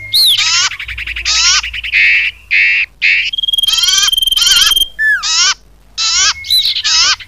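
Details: Common iora lure call used for bird trapping: loud, bright notes that sweep sharply downward, in rapid bursts, with a sustained high thin whistle in the middle and a chattering, rattly stretch near the end.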